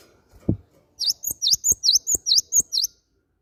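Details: Lure recording of a great tit (gelatik batu) meant to prompt other birds into singing: a soft knock, then nine bright, high chirps, each with a dipping-rising shape, repeated rapidly over two seconds.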